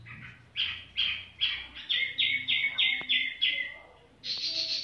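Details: Tiểu mi bird in casual song: about nine loud whistled notes, each sharply struck and falling slightly, repeated roughly every half second, then a harsh, buzzy high phrase, with faint background noise.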